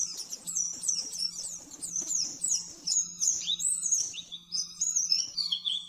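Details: Rapid nembak-nembak master song of an oriental white-eye for training caged birds. Shrill chattering phrases race along, then give way to clearer whistled notes sliding downward near the end, over a steady low hum.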